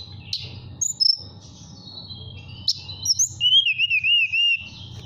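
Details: Caged mountain tailorbird from Purworejo, Central Java, singing in the flute-like 'nyuling' style to call a female: high thin whistled notes, then a wavering, rolling trill near the end, over a steady low hum.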